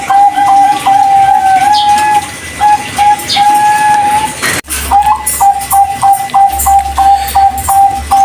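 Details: Bangkok-type zebra dove singing while hung out on an outdoor pole, offered as a lure for doves that have stopped singing or are learning: steady, low, slightly rolling coos in drawn-out phrases, a sharp break midway, then shorter repeated coos over constant hiss.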